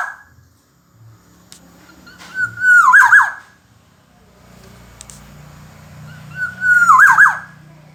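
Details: Kepodang emas (black-naped oriole) in a master recording: two fluty phrases about four seconds apart, each a held whistle rolling into a tumbling, falling warble, over a steady low hum and faint clicks.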